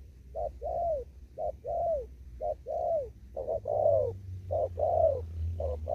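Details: Spotted dove cooing in a Kon Tum upland field, 'thúc gù' style: brief note plus a longer downward-bending coo, repeated six times at an even, hurried pace, low droning noise beneath.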